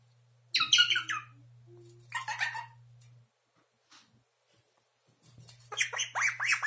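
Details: An 11-month-old pet Indian ringneck parakeet that has just started talking gives three short, shrill, raspy bursts of the Russian word "ptichka" ("birdie"), the last longest, over a steady low electrical hum.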